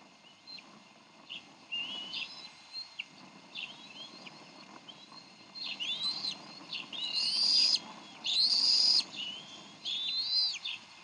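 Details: Decorah nest, 30 May 2012: bald eagle parents in a brief argument over a fish, with the eaglet being fed. Thin, piping whistles build into louder, harsher chittering bursts toward the end, each lasting under a second.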